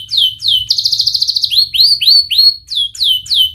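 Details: Canary singing a fast, dense lure song for young birds learning to sing: sharp downswept chirps, a rapid buzzy trill, then rising whistled notes and more swooping chirps, all high-pitched and loud.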